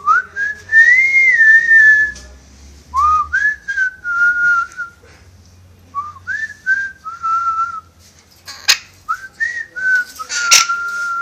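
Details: Pet parrot indoors, said to wolf whistle and whistle the marching song from Bridge on the River Kwai, shy with stage fright: clear pure whistled phrases, rising then falling and held, with short pauses and a few sharp clicks.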